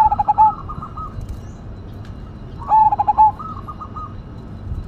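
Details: Zebra dove of the Cemani Majapahit line, described as a keen singer with a big voice: two loud cooing phrases, each a quick run of pulsed, slightly descending coos ending in a longer note, over softer cooing from other doves.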